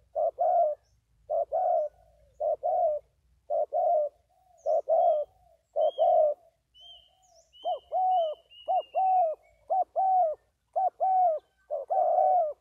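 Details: Spotted dove cooing in a rapid series of mellow, hoarse coos, paired short-long phrases repeated almost once a second, with a few thin high whistles of another bird behind and otherwise quiet surroundings.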